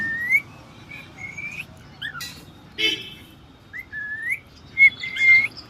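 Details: Pet cockatiel kept at home, giving a series of short rising whistles repeated at irregular intervals, with a few sharp clicks and knocks between them.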